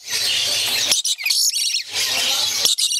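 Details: Male and female lory, kept birds, excited during courtship play as the female urges the male to bite a hand; loud continuous harsh high screeching with brief pauses and short chattering notes between bursts.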